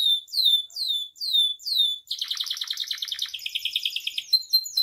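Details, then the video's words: Canary song used to tutor and provoke caged canaries: four clear descending whistles about half a second apart, then a fast chattering trill dropping slightly in pitch. "SUARA KENARI AMPUH [#42] MASTERAN DAN PANCINGAN KENARI GACOR FULL ISIAN"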